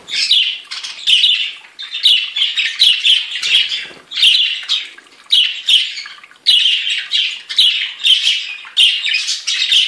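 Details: Budgerigars of different kinds pour out a continuous buzzy, chattering warble, high-pitched and grating, pulsing in rough phrases of about one to two seconds with short gaps.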